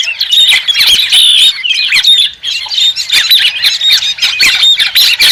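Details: A white-crested laughingthrush cackles loudly in a dense run of squawks and high squeals, then pauses briefly before the chatter resumes.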